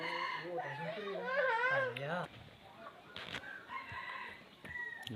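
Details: Wild red junglefowl crowing, a harmonic call that rises and then falls in the first two seconds. Quieter scattered sounds and faint background noise follow.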